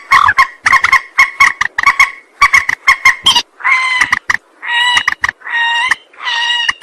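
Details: Lure recording of a rail: rapid harsh clucks at first, then drawn-out nasal wailing notes with clear stacked overtones, given singly about every second toward the end.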